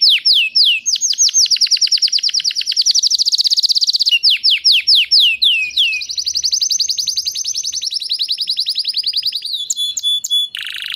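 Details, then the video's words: Canary singing: long, rapid, high-pitched trills of whistled notes, switching between fast downslurred sweeps and steady rolling runs, ending with a brief sharp buzzy burst. "kanarienvogel gesang, Canary Bird singing"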